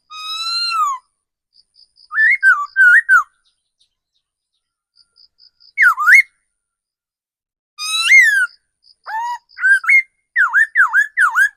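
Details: Laughingthrush used as a decoy bird in forest, giving scattered bursts of loud whistles: a long falling note, then twisting slurred phrases separated by pauses, while a faint high pip repeats steadily in between.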